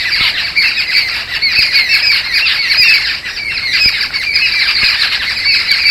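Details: Distress calls of a resident jungle babbler flock near a lodge in Satpura, alarmed by the recordist during the first week; continuous harsh, rasping chatter from several birds at once, steady in loudness throughout.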